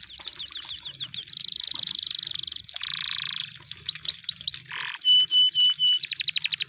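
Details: Canary song said to be from the wild: rapid trills, buzzy rolled tours, downslurred whistled notes in series, a steady pure whistle, then a fast metallic trill; varied phrases follow each other without pause.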